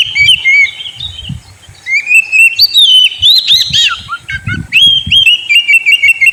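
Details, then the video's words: Oriental magpie-robin in a cage singing to prompt a bird that will not sing: varied whistles, sharp chattering bursts and sliding notes in several phrases, with faint low knocks. "Pancingan burung Kacer; yang lagi ngambek bunyi"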